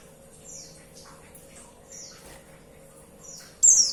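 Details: High, thin descending chirps from a female white-eye calling to a male, soft at first and spaced about a second and a half apart, ending in a sudden loud piercing note.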